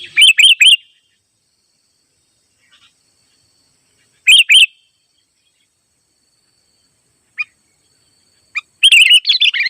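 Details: Sooty-headed bulbul (kutilang) in the wild calling out rivals; short bubbly three-note phrases at the start and again near four seconds, long silences between, then a denser burst of chirps at the end.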